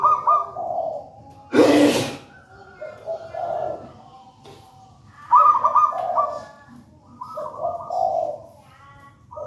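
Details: Wild-caught local zebra dove from a raja banana plant nest, singing actively: three bursts of rolling, warbled coos spaced a few seconds apart, with a sharp broadband noise burst early on.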